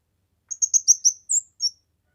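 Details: Kemade singing for masteran and luring: one short phrase of five fast, high chirps, then a higher slurred whistle and a final falling note.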